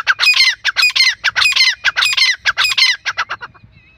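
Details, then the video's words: Grey francolin, a male and female teetar calling together: loud, harsh, squawking notes in rapid bursts, roughly a hundred a minute, grouped in rhythmic runs that trail off after three and a half seconds. "dakhni teetar ki awaz female and male teetar voice teetar calling"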